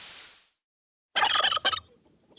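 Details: Turkey gobbling: a quick, rattling burst of rapid throaty pulses lasting under a second, after a brief silence.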